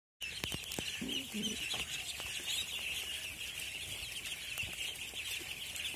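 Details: Captive budgerigars kept for sale chatter nonstop in a dense flock, a bright warbling, scratchy babble, with brief low clucking early on.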